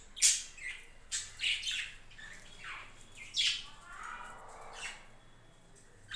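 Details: Budgerigars kept on a home budgie farm, sharp high squawks and chirps in broken bursts over a low steady hum.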